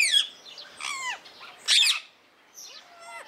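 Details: Blue rose-ringed parakeet at Opole Zoo producing a varied run of calls: a falling screech, a drawn-out nasal squawk, a loud harsh burst, then a softer quavering call.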